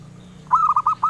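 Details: A single zebra dove phrase, the melodious song sought by collectors: a drawn-out low coo followed by three short, bubbling notes, with a steady low hum behind.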